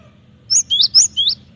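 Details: Cinereous tit, locally called gelatik batu, singing actively as a lure for training birds: four quick high whistled notes, each sliding sharply up then down, in under a second over a faint low hum.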